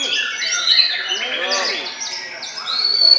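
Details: White-rumped shama in bowing display, delivering high, clear whistled phrases and sharp chirps that rise and fall, interrupted by softer lower arched notes, with a faint voice in the background.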